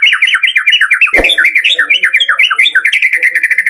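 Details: White-rumped shama lure song in full variation, meant to spur kept birds into singing: a fast, unbroken run of repeated chattering notes, roughly eight per second, shifting slightly in pitch, with one brief thud midway.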